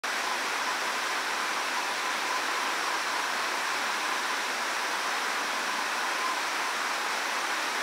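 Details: Constant loud hiss of running water, even and unbroken, with no bird or other animal call audible.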